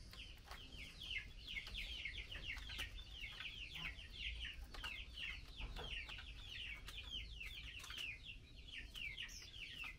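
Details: Chinese hwamei female calling for the male during mealworm feeding, giving a dense, steady stream of quick descending chip notes, several per second, with a faint low rumble underneath.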